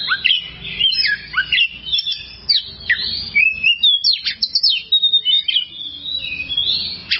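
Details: Oriental magpie-robin song recorded for training other kacer: fast, varied phrases of piercing chirps, steep slurred whistles and short trills, delivered almost without a break.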